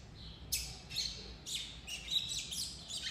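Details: A young, still-brown Double-collared Seedeater, caged with other juveniles, gives a very thin, rambling subsong: faint, high, scratchy chirps and short buzzes at irregular intervals, with no defined song or settled phrase.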